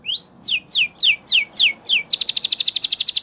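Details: Spanish Timbrado canary training song: a rising whistle, five loud sweeping downslurs about two per second, then a rapid, even, high rolling trill.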